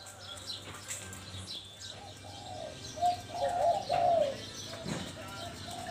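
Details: Spotted dove song in the Mongkhon Liu Tan style: a short cluster of soft, rounded coos midway, partly masked by broad background noise and faint hum.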